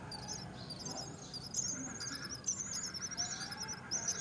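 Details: Young mynas at the nest while the mother feeds them: a stream of high, squeaky, wavering chirps, closely spaced and rising and falling, with a faint low hum beneath.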